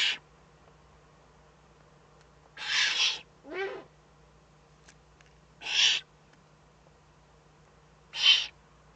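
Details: Eurasian eagle-owl in the Eifel, 3 May 2014: four spaced, breathy hisses over nine seconds, one followed by a short downward-sliding squeal, with a steady low hum behind.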